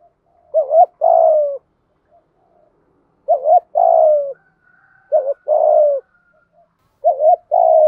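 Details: Decoy spotted dove in gáy gọi một hậu calling, luring wild doves; four evenly spaced low phrases roughly every two seconds, each a short quavering coo followed by a long, mellow, falling note.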